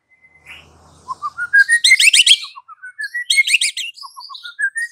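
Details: White-rumped shama song used in the afternoon to goad a silent bird: a climbing series of quick chirps interrupted by dense rattling bursts, then more rising notes.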